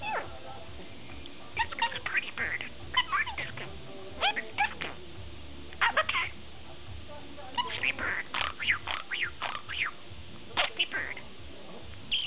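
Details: Pet budgerigar, ten months old, described as very chatty, giving bursts of scratchy warbling chatter and sharp chirps in clusters separated by short pauses, over a low steady hum.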